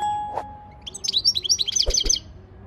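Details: Goldfinch training song, a rapid sparkling twitter of high repeated notes, preceded and interrupted by a couple of low clicks or knocks and a thin steady tone.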